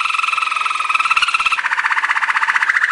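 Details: Malinois Waterslager song canary training song: a rapid rolling trill on two tones that switches midway to a lower, fuller bubbling roll pulsing quickly and evenly.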